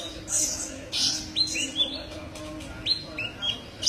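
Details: Sunbird known locally as kolibri ninja, recorded for song tutoring: thin high whistled notes, several sliding downward, delivered in small pairs with short gaps between them.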